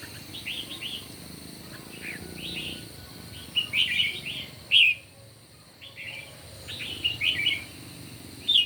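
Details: Red-whiskered bulbuls competing in song at dawn; bursts of fast bright chirruping phrases, several loud sharp peaks, a short quiet break, then more dense chattering notes over steady soft hiss.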